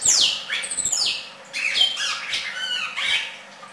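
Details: Red-crested cardinal singing: a run of loud, harsh, slurred notes, the first sweeping down steeply from very high, followed by buzzy downward phrases and squeaky chattered notes over nearly four seconds, with a faint low hum behind.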